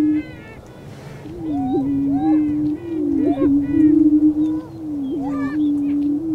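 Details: Mating display of male lesser prairie chickens in Kansas's Flint Hills: steady low drone beneath repeated clusters of cackling notes and looping whoops, the chorus swelling and fading several times.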